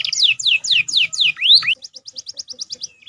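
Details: Caged canary singing a master song with prenjak and ciblek fills: a run of loud downslurred whistles about four per second, a rising sweep, then a softer series of short high repeated chips.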